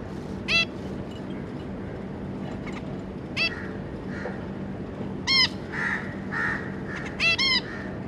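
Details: Zebra finch family of two adults and three juveniles, recorded 25 July 2022: a few short, nasal, stacked calls sounding at irregular intervals of one to two seconds, some in quick pairs, over a steady low electrical hum.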